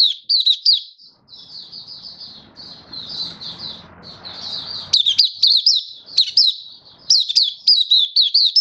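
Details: Caged Malaysian white-eye singing in Singapore on a stable, warm, sunny day, 20 March 2023: high twittering phrases with sharp rising and falling notes, rapid and continuous, with a soft low rumble in the middle.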